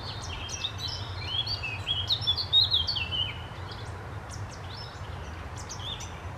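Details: Male Eurasian blackcap singing on 3 May 2022: a fast, rich warble of rising and falling whistled notes that swells in the middle and ends in a few clearer phrases, over a steady low rumble of background noise.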